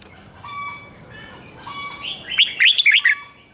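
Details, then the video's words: Doubled 'rik' style song of a red-whiskered bulbul, meant for young birds to learn from: after quiet background whistles and distant chirps, a sharp phrase of rapid bubbling, up-and-down notes bursts out over about one second. "นกหัวจุกนกร้องริก เบิ้ล3 เปิดให้นกฟังก๊อปติดง่าย"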